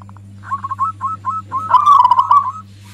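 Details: Loud song of a local zebra dove, meant to provoke other doves and serve as a lure. Quick soft notes build into a loud rolling trill lasting about a second, over a constant low hum.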